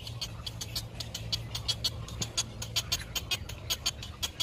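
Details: Young great egret in the nest, waiting for its mother to bring food, repeats sharp clicking begging notes at a fairly steady pace, roughly two per second, over a low humming background.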